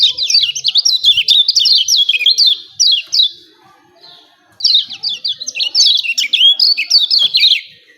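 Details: Lemon-bellied white-eye (kecial kuning) 'ciak ciak' song used to make birds sing: a busy stream of high, rapidly slurred chirps, a second-long lull, then another lively run of sharp twittering notes.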